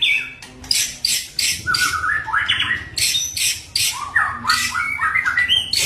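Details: White-rumped shama in fighting form, singing to stir up rival shamas: harsh loud squawking bursts alternating with short rising whistles and a quick string of descending whistled notes.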